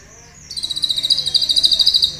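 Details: Pet sunbird in a cage, recorded live for songbird training, with a song filled with cililin-style phrases: after a faint thin note comes a loud, fast, buzzy trill of evenly pulsed high notes lasting about 1.7 seconds.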